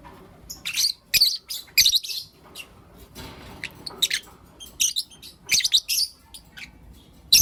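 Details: Blue Opaline and Lutino Opaline lovebirds chirping in the morning, a lively stream of shrill, rasping chirps in quick irregular bursts with brief pauses and a faint hiss in between.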